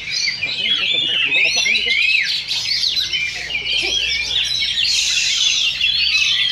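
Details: Duel between two caged Oriental magpie-robins at a Sindanglaut Sunday practice contest, second session: busy, high warbling with swooping whistles and scratchy notes, several singers overlapping, and a murmur of people at the start.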